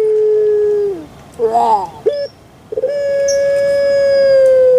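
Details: Barbary dove (puter pelung, Streptopelia risoria), a kept bird: a mellow hooting note held about a second drops away, then a wavering burst, then a long level coo of nearly two seconds, its "kuk gerukkk kwokkk" call.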